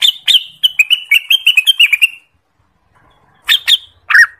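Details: Boisterous song of an Orange-spotted bulbul, endemic to Indonesia, used to lure birds for trapping and as a master song: a long rapid string of sharp notes, then two brief separate calls.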